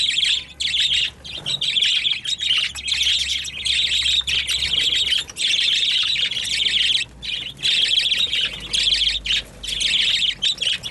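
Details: Harsh, continuous bird chatter, high and grating, rolling on in long bursts with occasional brief breaks.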